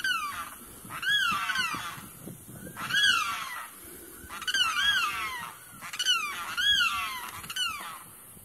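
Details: Limpkin near a wetland giving its loud screeching call, said to carry far and to be a nuisance to nearby residents; harsh, wailing screams with a rising-then-falling arch, repeated roughly every second or two in loose series.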